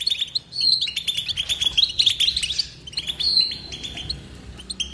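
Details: A European goldfinch's continuous twitter of bright chirps and ringing trills, louder in the first half and softer later, with a buzzy note near the end.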